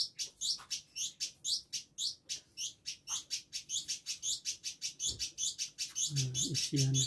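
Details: Village indigobird in a cage at Bandung, recorded in October 2022 for training other birds: a rapid, even stream of high sharp chirps, almost two per second, with a low throaty sound joining near the end.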